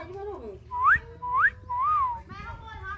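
Common myna giving three clear, rising whistles about half a second apart, with soft speech-like chatter before and after, in a small room.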